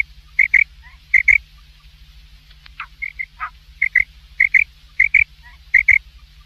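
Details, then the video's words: A common quail's night call, used for hunting, with sharp, liquid notes in quick pairs and triplets repeated about once a second over a low steady hum and a few softer squeaky notes. "quail voice for night | Batair ki awaz"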